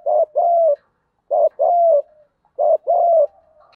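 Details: Spotted dove, field-style voice, cooing continuously in a fighting display used to decoy wild birds: three evenly spaced pairs of deep notes, each a brief hoot followed by a longer, slightly trailing coo.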